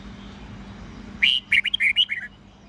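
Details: Red-whiskered bulbul, a forest-style morning song used to train young birds to sing; one short phrase of bright, clear whistled notes rising and falling quickly over about one second, with steady low background hum.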